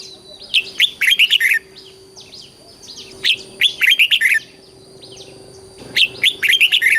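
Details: Southern master-style song of a red-whiskered bulbul from Thailand, used to excite caged birds and teach chicks: repeated bursts of fast, sharp, chirping notes in three phrases, with softer notes between.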